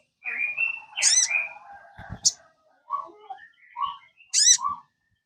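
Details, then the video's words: Kept sogon singing, used to coax another caged sogon into song: a whistled note, a sharp rising-falling slur, then brief mellow notes and a final high slurred burst separated by short gaps. "PANCINGAN SOGON. BIAR SOGON MU IKUT CEPAT RAJIN BUNYI"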